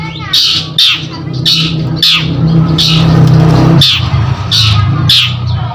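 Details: Long-tailed shrike uttering a series of rough, scratchy squawks roughly every half to one second, over a loud low rumbling background like traffic or machinery.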